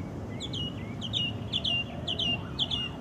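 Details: Wild orange-banded thrush (anis cendana) singing: quick, bright, slurred notes falling in pitch, given in tight clusters about twice a second, with a steady low rumble of background noise.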